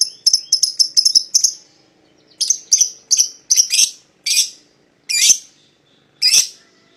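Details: Lovebird pair of the type called paud, played to draw a rival into singing; a quick run of sharp high chirps, then spaced shrill buzzy squawks repeated about once a second.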